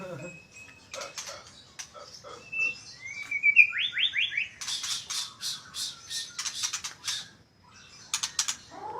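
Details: Magpie-robin song, fairly faint: scattered chips, a short pure whistle, a rising slurred whistle, then a fast series of sharp, scratchy repeated notes, a brief pause, and a few more clicks over a low background hum.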